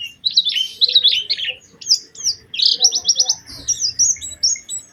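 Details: Oriental white-eye lure song, a prized melodic style meant to trigger singing in other white-eyes: rapid tumbling warble, then a burst of quick buzzy repeated high notes and thin whistled slurs.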